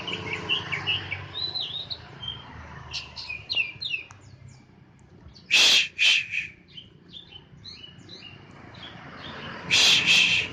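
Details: Caged Oriental magpie-robin put out in the morning sun. It sings soft whistles and chattering twitters that build into fuller phrases, interrupted twice by loud harsh scratchy bursts.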